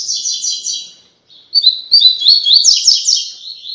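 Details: Tui tui song of a coleiro, played for training brown young birds: a short high trilled burst, a brief gap, then a longer run of quick chirping notes that climbs and falls.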